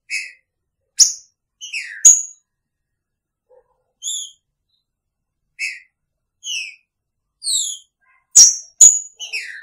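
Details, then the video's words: Green-winged saltator with its female in the same cage, delivering rapid clear whistles and downslurred notes, interspersed with sharp clicks, with a brief pause midway. "Trinca Ferro com sua fêmea!! Picharro"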